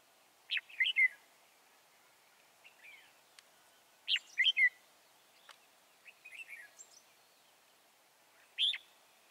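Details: Red-whiskered bulbul, a wild bird trapped at Chùa Hương on 24 March 2018. Short, bright chirping phrases recur every few seconds and sound fairly distant over a quiet background, with occasional sharp ticks between them.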